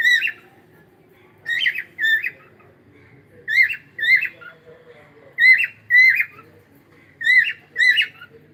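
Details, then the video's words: A cockatiel sings in the morning, loud whistled notes in pairs, each pair about two seconds apart, with harmonic overtones and a quiet indoor background. "cute Cockatiel singing and sound"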